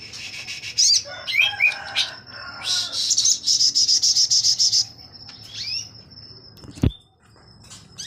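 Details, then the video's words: Captive crimson sunbird used as a song tutor for magpie robins at a breeding farm, singing actively with open wings in 'tembak' style: scattered high chirps and slurred notes, a rapid buzzy high trill, thin whistles, and a single sharp click. "Burung sogon gacor buka sayap"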